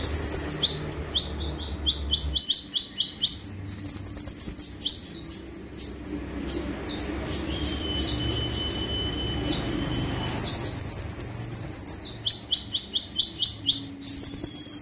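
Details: Sunbird singing hard in rapid sharp bursts: long very high buzzy trills alternating with strings of quick upslurred chirps and one sustained thin whistle, almost nonstop.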